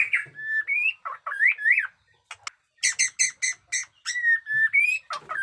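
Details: Fighter-style white-rumped shama, kept as a cage bird, alternating clear upslurred whistles with clipped, ringing, metallic notes in quick bursts, then more sweet rising whistles; loud and close.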